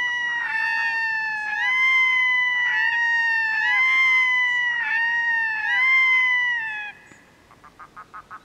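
Red-throated Loons give loud, nasal, wailing calls that rise and fall, overlapping in a rhythmic chorus, then end in a quick series of short clipped notes.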